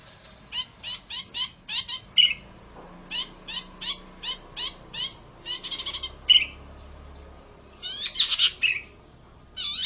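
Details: Lure and tutor recording of a zitting cisticola: a long series of sharp, clicking high notes repeated about three times a second, broken by brief pauses and a few buzzier bursts, over faint low background hum.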